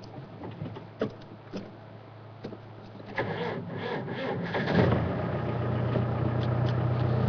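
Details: Steady engine hum and road rumble from a moving car on an afternoon drive, with scattered clicks and knocks, rising louder after a few seconds; no animal calls.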